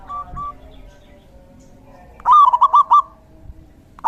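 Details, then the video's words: Zebra dove in the rainy season giving a brief phrase of four or five loud, quick cooing notes after faint distant coos, with another phrase beginning at the close. "Suara Terapi perkutut/Merbuk di Musim Hujan"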